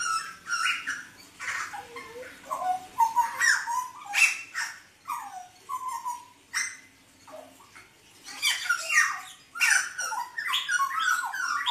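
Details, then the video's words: Hooded butcherbird (Papuan "blorok" type) in lively song, loud bursts of mixed fluty and harsh notes with short falling slurs and squawky phrases, pausing briefly between outbursts. "Kicauan Jagal Papua Gacor"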